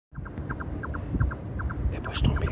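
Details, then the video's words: Red-necked Nightjar in the Parque Lineal del Manzanares, Spain, giving a hollow, knocking double note, kyo-tok, about three times a second over a steady low rumble of distant traffic. "Chotacabras cuellirojo"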